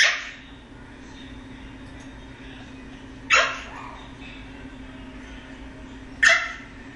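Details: Male eclectus parrot kept as a foster pet, making funny noises: three short harsh squawks, each a brief noisy burst, spaced about three seconds apart in a quiet room with a low steady hum.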